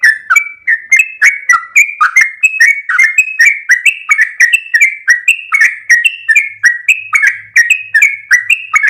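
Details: Loud, lively song of a sooty-headed bulbul: an unbroken stream of quick slurred whistles, rising and falling phrases packed closely together for nearly nine seconds, clean and without background noise.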